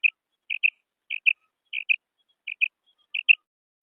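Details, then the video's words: A female quail gives its "kirak" call: short, high, scratchy notes, mostly in close pairs, repeated about every half-second against silence. "Female Quail Sound / Mada batair ki kirak"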